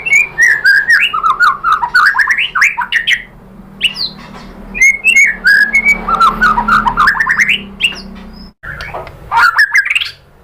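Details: White-rumped shama song used to provoke rival shamas to sing: rich fluty whistles sweeping up and down, mixed with fast chattering notes, in several phrases separated by quieter gaps with low background hum.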